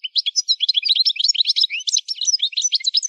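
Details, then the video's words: Goldfinch song for training: an unbroken, lively twittering of bright, varied chirps and quick trills, high and sparkling throughout. "Song Goldfinch Training"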